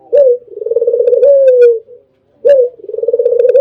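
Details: Albino spotted dove singing melodious tutor song, a brisk upward coo followed by a throbbing, quickly pulsed roll ending in a drawn-out descending tone, then a second phrase begins after a brief pause.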